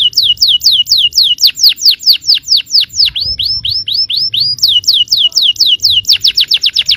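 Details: Canary song, yellow bird, meant to provoke other canaries to respond: a long, rhythmic chain of falling whistled notes, about three per second, briefly changing to upswept notes midway before returning to quick descending strokes.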